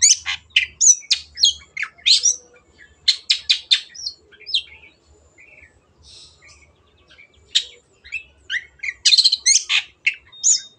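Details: Long-tailed shrike in chatty, varied song played as a lure to get quiet birds singing: fast runs of scratchy, buzzing notes and sharp squeaks, a softer stretch of warbled phrases midway, then another loud burst of chatter.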